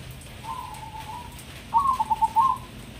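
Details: Tame crossbred zebra dove (perkutut), Semarang, Indonesia, in manggung song: a soft sustained note, then a louder phrase of about five clipped, bubbling coos on one pitch, with faint background hum.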